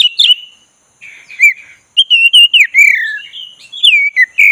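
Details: Oriental magpie-robin of the black-breasted form (kacer dada hitam), coaxed into full song: clear whistled phrases that slide up and down, a slurred falling whistle, and quick chirps run into a lively, varied string.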